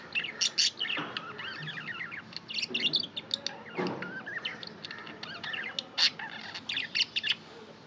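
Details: Several pet budgies chirp and chatter together, a steady mix of sharp ticks, squeaks and quavering warbles with loud bursts spread across the recording.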